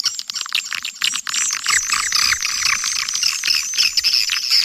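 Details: Swiftlets from Kampar, Riau, calling and roosting, recorded to lure swiftlets. After a few scattered clicks, a loud mass of squeaky high twitters and chirps builds and continues densely to the end.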